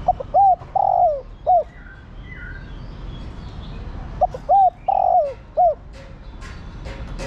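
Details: Spotted dove hen calling a cock bird, kept to stir a decoy into cooing. The same low phrase is given twice about four seconds apart: short note, hooked note, long falling coo, then a closing note.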